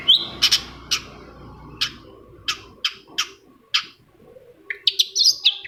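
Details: A shrike, apparently answering a lure recording of another shrike, gives harsh, scratchy chip notes spaced about half a second apart, then a quick burst of squeaky, chattering phrases, with a low rumble underneath at first.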